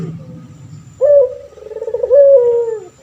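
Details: Male puter pelung turtle dove, a vocal caged bird used as a master voice for training others. After a second of low hum comes one full cooing phrase: a sharp note, then a long, wavering coo that slides down.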